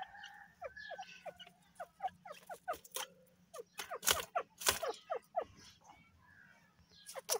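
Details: Grey francolin, locally teetar, calling during the breeding and egg season: a fast series of sharp, harsh notes sweeping upward, repeated several times a second and growing louder mid-sequence, over a low steady hum.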